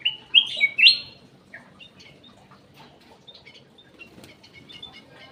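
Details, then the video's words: Golden bulbul (cucak emas) lure song from an aviary: two loud, liquid, upward-swooping whistles open the passage, then sparse faint chirps and other bird notes over quiet hum. "PANCINGAN CUCAK EMAS \ KUTILANG EMAS"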